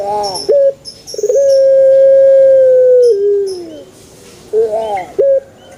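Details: Male Barbary dove, played to make other birds answer: a quick stutter opens a sustained, smooth hooting note of nearly two seconds that bends downward, with short broken notes and a clipped coo afterwards.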